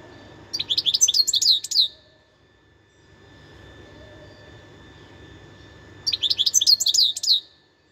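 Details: Wild European goldfinch, recorded in 2021, delivers two short bursts of quick, liquid twittering notes with jangly trills, each burst just over a second long, with a quiet pause between and soft low background rumble.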